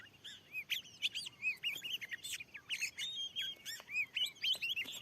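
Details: Wild Oriental magpie-robin reacting to a lure in a new field, delivering a steady run of short whistled slurs and crisp clicks, roughly several notes per second, bright and high.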